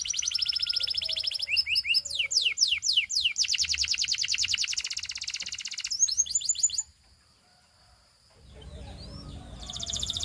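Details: Singing Russian canary, a song to seduce other canaries: bright rolling trills and sharp downslurred notes run for several seconds, cut off into near silence, then a faint rustle and fresh high chirps return.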